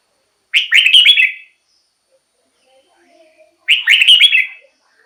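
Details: Red-whiskered bulbul song used to excite caged birds or lure wild birds: two identical short, bright, bubbling whistled phrases about three seconds apart, near-silence between them.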